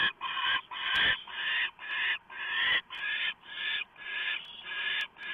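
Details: An owl brings a small mouse to its nest on an autumn evening, November 1, 2015, at 7:12 PM. Rough, breathy screeching hisses repeat roughly twice a second, with some bursts running longer than others.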